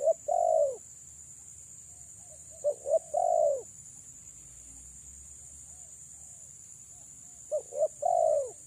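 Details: Female spotted dove luring males with low coos: a long falling note, then two quick notes and a drawn coo, a quiet pause, and the phrase again, set against a steady thin high-pitched tone.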